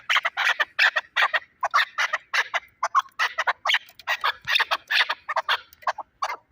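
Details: Chukar partridge kept as a fighting bird in Shahritus, Tajikistan, giving loud harsh rhythmic chuckling calls, short bursts repeated about two to three times a second in steady runs.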